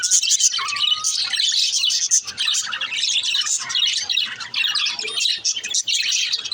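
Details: Pet female budgerigars: a clear whistled note near the start, then nonstop high, chattering chirps and rasping warbles from several birds.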